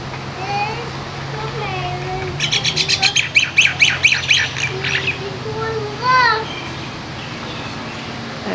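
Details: Chatty bird, very common at Kaanapali, Maui, Hawaii, gathering in a parking lot: scattered nasal whistles, then a fast run of about a dozen harsh, rasping squawks over two seconds, a lone rising note, and a low steady hum.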